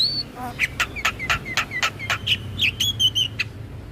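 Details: Lure starling chattering to stimulate non-singing starlings: a rapid even train of clicks and short whistles, finishing in higher, sweeter whistled notes.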